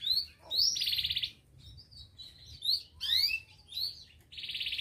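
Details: Local canary with a lively song of quick rising whistles and two long rapid buzzy trills, the second closing the phrase.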